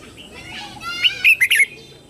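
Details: Red-whiskered bulbul lure bird calling wild birds to fight, delivering a brief phrase of three or four loud, clear whistled notes that rise and fall, after softer twittering.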